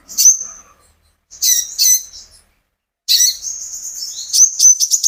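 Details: Captive olive-backed sunbird singing to encourage other birds to join in: a thin high whistle, two short buzzy chirps, a pause, then a rapid run of sharp, piercing notes and trills.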